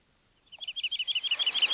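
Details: Woodlark singing among the forest birds of Wielkopolski National Park, recorded 1990: after half a second of quiet, a quickening run of about fifteen clear, liquid repeated notes, high and even, growing louder to the end.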